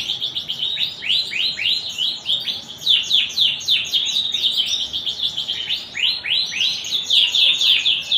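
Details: Rapid canary song: a continuous stream of sharp, high, swooping notes delivered almost four a second, shifting between rolling trills and clipped chirps across eight seconds without a break.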